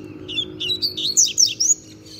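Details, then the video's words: Novice double-collared seedeater, a young bird not yet a year old, delivering a firm, loud, high-pitched twittering song of quick slurred notes that rise and fall in a fast run, over a low steady hum. "Papacapim Novato Cantando Bitolado!!!"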